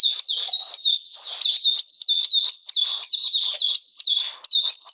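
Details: Oriental magpie-robin singing in cold rainy weather, 13 June 2020: a continuous run of loud, bright whistled notes, each sliding downward, repeated rapidly about three to four per second with brief breaks.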